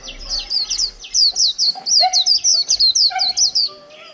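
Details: Líu-style song from a caged white-eye kept just over a month: rapid run of sharp, high, falling whistles, roughly fifteen notes, with faint lower chirps from another bird underneath.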